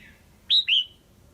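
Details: Caged female red-whiskered bulbul calling to excite a male or for pairing, giving a single loud two-note call: a sharp whistle followed by a slightly lower, slurred note.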